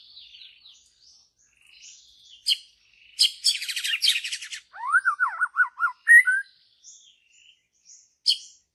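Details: Wild white-rumped shama in deep forest singing a loud varied phrase: sharp high notes, a dense buzzy rattle, then a run of rapid falling whistled slurs and a few bright chips.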